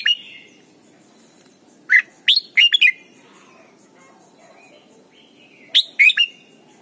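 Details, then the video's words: Red-whiskered bulbul song from Thailand, used for teaching young birds to sing: a few loud, bright whistled notes rising and falling around two seconds in, then a quiet gap and another quick cluster of sharp notes near six seconds, with faint low background hum. "นกปรอดหัวจุก Thailand Bird: เสียงดีมาก (สอนลูกไก่) เต็ม - ฝึกร้องเพลง"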